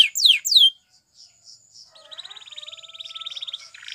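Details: Spanish Timbrado canary, training song for canaries: a few loud descending slurs, soft spaced chips, then a quiet, even, metallic rolling trill.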